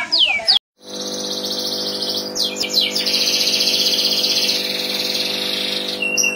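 Canary song: a long, rapid, high trill of fast rolling notes with brief swooping phrases, over a steady low electrical hum.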